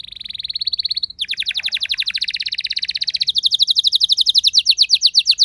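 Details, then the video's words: Household canary, normally a reluctant singer, answering another singer with a long roll: a fast, even trill of high notes that drops briefly, then climbs into a quicker, brighter rattling trill that holds to the end. "Seketika Respon Kenari Rumahan Yang Kurang Gacor Langsung Nyaut Bisa Ngeroll Panjang"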